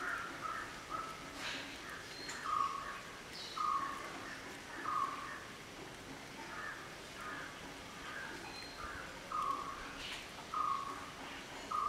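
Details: Black-headed oriole (Oriolus larvatus) giving short, mid-pitched notes repeated about once every 1.2 seconds in a steady series, with faint chirps from other birds and light background noise.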